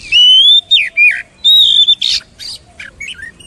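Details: Oriental magpie-robin singing long, clear rising whistles that break into sharp downward slurs, followed by a few softer twittering notes.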